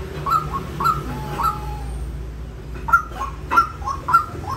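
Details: Harsh, clipped calls of a white-breasted waterhen: three quick notes, a short pause with a thin faint tone, then four more sharp notes in close succession over low background noise.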